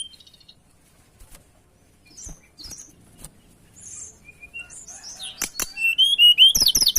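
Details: Mountain tailorbird lure song: faint scattered high chips at first, then swelling into loud, rapid whistled phrases with bouncing, wavering notes during the final seconds.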